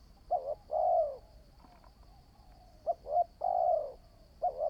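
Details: A newly trained decoy spotted dove coos in phrases of two quick short notes leading into a long, slightly descending coo, heard about twice, over a thin constant high-pitched hum.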